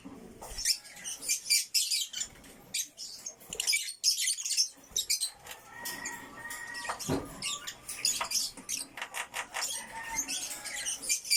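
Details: African lovebirds in a backyard, bred birds including a single factor violet, giving rapid, harsh, high chirps in irregular bursts with brief pauses, and a few lower whistled notes between them.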